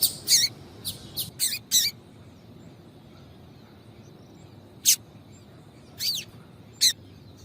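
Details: Female Double-collared seedeater calling repeatedly to stimulate a male: a cluster of five sharp, high chirps in the first two seconds, then a quiet pause and three more spaced single chirps over a faint steady hiss.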